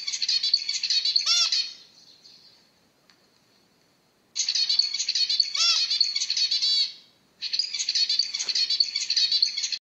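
Zebra finch song in three bursts of dense, high, buzzy chatter, broken by short nasal honking notes, with brief quiet gaps between bursts.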